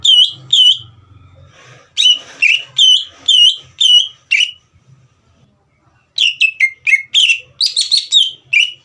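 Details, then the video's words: Green leafbird singing hard to rouse a young bird into song. Clear ringing notes repeat in quick sequence, then a pause and a denser, varied volley of whistled and buzzy notes, with a faint low rumble early on. "CUCAK IJO GACOR INI SPONTAN MEMANCING EMOSI CUCAK IJO BAHAN TROTOL AGAR GACOR"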